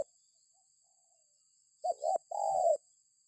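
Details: Single phrase from a spotted dove, used as a lure to make other birds call: after a silent stretch, two quick notes then one long, mellow, gently falling coo.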